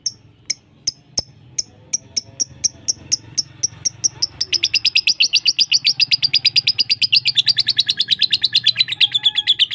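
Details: Lovebird lure recording, mixed from several birds and played to caged lovebirds so they learn varied calls. Sharp high chirps, spaced at first, speed into a dense rapid chatter; faint low hum underneath.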